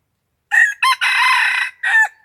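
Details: Red junglefowl crowing during decoy trapping of wild junglefowl, 21 March 2020: a loud, hoarse crow in four bursts, two short opening notes, then a long sustained middle note and a clipped final note, over near silence.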